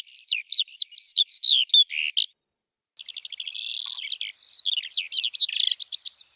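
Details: A lark sings rapid, high, jerky whistled notes, pauses briefly, then resumes with a dense rattling stream of trills and chirps that grows louder toward the end.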